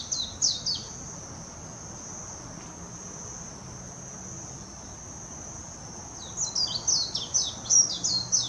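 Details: Warbling white-eye singing in Hashimoto, Wakayama Prefecture, Japan, on 26 June 2021, filmed with a Nikon Coolpix P900: two bursts of rapid, high, tumbling downslurred twitters at the start and end, with a steady shrill insect-like drone throughout.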